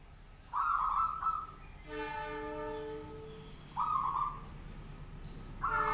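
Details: Local zebra dove singing in a cage to provoke other doves into answering; trilled coo phrases on either side of a long, droning horn-like tone with stacked harmonics.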